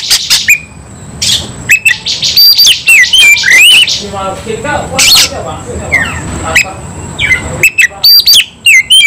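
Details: White-rumped shama fighting, bursts of whistled and slurred song phrases with sharp clicks and snapping notes, separated by short pauses, plus a low murmur and a constant high tone behind.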